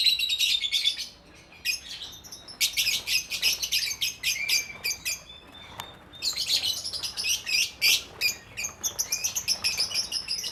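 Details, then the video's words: Captive colony of lovebirds in an aviary, mixed colour varieties including lutino, green, golden-headed, mauve, albino, pied and red-eyed birds; dense overlapping shrill chirps in bursts, with short pauses between flurries of rapid high tweets. "Love Bird Part 2 : The Colony"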